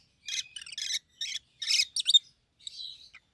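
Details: Rosy-faced lovebirds, a healthy pair with one yellow and one green bird, both red up to the crown, make a rapid run of harsh, buzzy chattering notes. A softer drawn-out squeaky note trails at the end.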